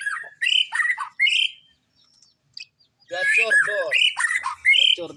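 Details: Energetic white-rumped shama song, dense rapid sequences of whistled, slurred and harsh notes in two long bursts divided by a brief quiet gap.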